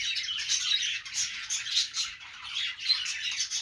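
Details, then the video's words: Budgerigars on a perch sing a busy, high-pitched warble of rapid chirps and short squawks that rise and fall in bursts, without a break. "budgies singing on perch"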